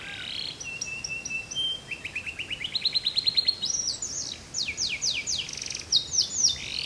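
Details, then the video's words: Canary singing a relaxed, pleasant tune: long high whistles followed by fast rising trills and repeated sweeping notes, with bright chirped phrases toward the end. "Kanari nada santai tapi asyik"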